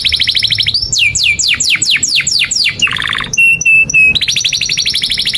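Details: Lively song of a canary, played as a tutor for young birds: a quick trill, a row of loud falling whistles, a low buzzy trill, three steady pure whistles and a closing fast rattle.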